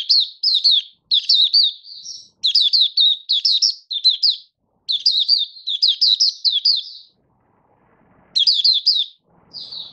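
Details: Caged Malaysian Oriental white-eye (Mata Puteh) singing in 'buka' style while out of form, recorded 1 August 2023: rapid bursts of high, sweet, twittering notes, each phrase of quick descending chirps, separated by short pauses.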